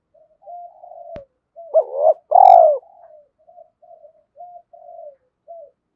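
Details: Spotted dove voice for luring a decoy bird into calling: a sharp click, then soft low notes, a strong double coo with a rounded, drawn-out second note, and a trail of gentle murmurs.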